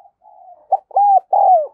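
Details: Decoy spotted dove with a 'giọng đồng son' voice calling to lure wild doves: a low, soft murmur, a short note, then two long, mellow coos that rise and fall.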